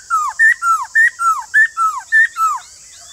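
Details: White-cheeked laughingthrush song: loud, clear whistled phrases alternating a falling slurred note with a short level higher note, repeated rhythmically about every half second, with a steady high hiss behind.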